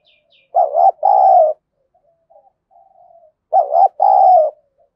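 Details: Decoy spotted dove with a sharp, irritable voice that wild doves are said to hate. Two cooing phrases sit three seconds apart, each a stuttered double note then a sustained coo. Quiet murmured coos fill the gap, and faint chirps come at the start.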